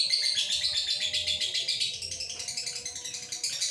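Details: Male lovebird in breeding condition, a bird-farm bird recorded on a Redmi 9C phone. It gives a long, continuous stream of rapid, high, scratchy chirps, about four a second, pulsing steadily without pause.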